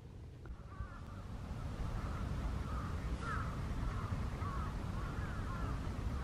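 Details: Wild Eurasian wigeon in December on the Kanto Plain, Japan: repeated short whistled calls, several overlapping, rising then falling, over steady low rumbling background noise.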